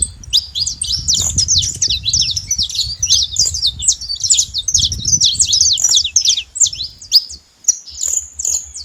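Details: Saffron finch singing in the wild, a continuous stream of bright, high chirps and quick slurred notes running for most of the recording, low wind noise underneath.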